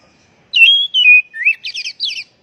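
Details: One phrase from an Oriental magpie-robin (kacer) lure call for stressed, untrained birds: a level whistle, a lower slurred note, a rising slur, then quick buzzy double notes.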